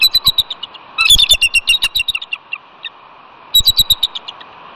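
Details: Bald eagle mates vocalizing at their Catalina nest in California on a chilly February day after the incubating male is surprised from behind. Overlapping runs of shrill, rapid piping notes, then a final short burst.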